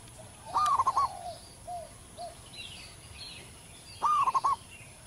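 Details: Local zebra dove singing in the wild with a big, long voice, a song useful for training birds: two bubbling phrases of a rising note and a fast staccato run, with a few soft low coos between. Faint distant chirping.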